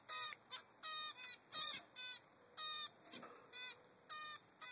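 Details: A 3-week-old baby zebra finch begs its mother for food with nasal, buzzy calls, about two a second at an uneven pace, over a steady high-pitched whine.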